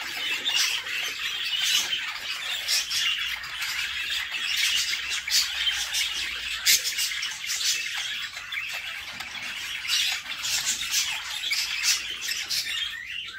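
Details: Budgie chicks in a nest box give persistent grating, high-pitched begging squawks as their mother feeds them, the chorus pulsing in uneven bursts throughout.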